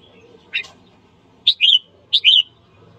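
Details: Red-whiskered bulbul, a singing bird trained for morning song to rouse fighting: a short chip followed by two quick phrases, each a sharp high note leading into a slurred whistle.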